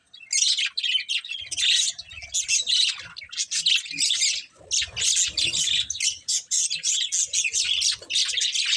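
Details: Budgerigars give rasping squawks and chirps in quick, choppy bursts, several per second, with faint low thuds.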